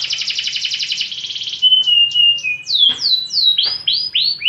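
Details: Fighting canary training song that opens with a dense rapid buzzy trill, then shifts into a series of separate clear whistled notes that drop in pitch, each strongly accented.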